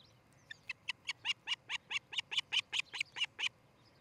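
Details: Osprey calling at its nest in Charlo, Montana, on 13 July 2018 around dawn. A steady series of about fourteen sharp, high whistled 'cheep' notes comes at roughly five per second and grows louder after the first few.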